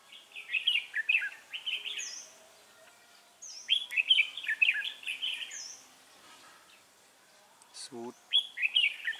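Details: Red-whiskered bulbul during trapping on 3 November 2018 sings repeated rapid warbled phrases of bright chirps. There is one sharp click near the end.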